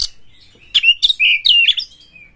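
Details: Fierce Oriental magpie-robin (kacer galak), said to stir other magpie-robins to sing: a short burst of strong, clear whistles that rise and fall, ending in a thin, trailing note.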